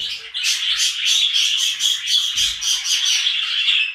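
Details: Budgerigars in a glass birdcage warble in a steady, high, scratchy chatter of quick chirps and squawks.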